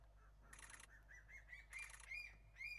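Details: Two Crested serpent eagles answering each other on Ishigaki Island, Okinawa, Japan: a quick series of clear, upslurred whistles that climb in pitch note by note, broken by two loud buzzy noise bursts, over a low background hum.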